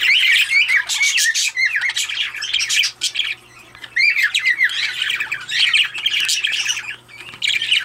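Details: Pet recessive pied opaline budgerigar warbling in loud, raspy bursts of looping whistles, squawks and clicks, pausing briefly midway before resuming its busy chatter, with a low steady hum behind.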